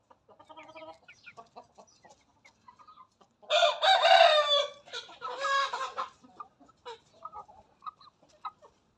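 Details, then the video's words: Aseel hen crowing like a rooster: soft scattered clucks, then a loud, harsh, drawn-out crow lasting about two and a half seconds, breaking into a second rasping part, followed by more quiet clucking. "KENDİNİ HOROZ ZANNEDEN HİNT TAVUĞU //TAVUK NEDEN ÖTER?WHY DOES THE CHICKEN CROW?"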